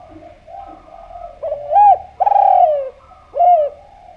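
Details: Melodious Javan spotted dove used to lure other doves: after a soft lead-in, a hooked coo, then a long rough descending coo and a final short bent note, all low and rounded, with a faint hum beneath.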